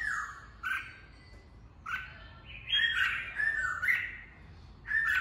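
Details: Red-whiskered bulbul in song, recorded to train birds' voices and rouse them for fighting contests; short rich whistled phrases, slurred and warbling, given in bursts separated by pauses of about a second.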